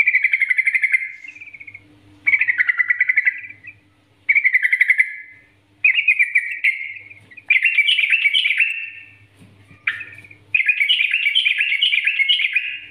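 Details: Sooty-headed bulbul master song in the lively nggaruda style, used as a lure to get other bulbuls singing: bright, chattering warbled phrases of about one to two seconds, repeated after short pauses, growing richer and more jumbled toward the end.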